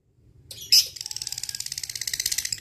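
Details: Lovebird ngekek used to call a rival: opens with a brief harsh squawk, then breaks into a rapid, high, buzzy chattering trill that grows louder toward the end.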